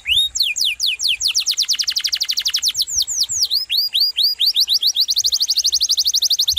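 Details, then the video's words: Canary singing a long, varied song with sharp notes. It opens with rapid rising sweeps, runs into fast repeated downward slurs and arched notes, then ends in a quick, even high trill. "Masteran KENARI GACOR"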